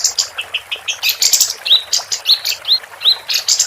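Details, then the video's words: Female capped white-eye singing: short buzzy high notes and a chattering burst, then a series of clear rising whistled slurs repeated about every half second. "Kapas Tembak Betina Gacor"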